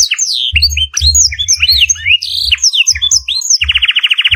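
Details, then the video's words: Canary training song filled with blackthroat phrases: looping high whistles and slurred chirps, a faint steady tone near the middle, and finally a rapid, evenly pulsed trill. Low rumbling thumps sound throughout. "Masteran kenari full isiaan blackthrot durasi panjang"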